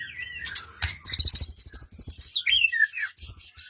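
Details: Song of a white-rumped shama used as a lure for a quiet bird: a low whistle, then a fast, very high rattling trill about four notes per second, then slurred descending whistles and more trills.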